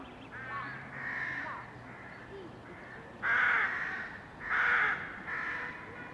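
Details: Crows in a crowded colony, May 2020, with mallards washing nearby: softer hoarse caws early on, then three loud grating caws in quick succession over a constant murmur of many other crows.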